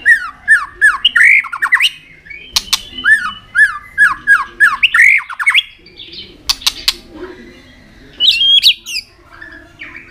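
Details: White-rumped shama singing a series of looping, repeated rising-falling whistles, then sharp clicks and a short bright whistle.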